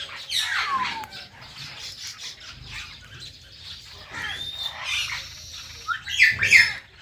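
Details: Indian ringneck parrots kept as pets, two birds with one blue, uttering a sharp downward-sweeping squawk, then scattered scratchy chirps and a loud double squawk near the end.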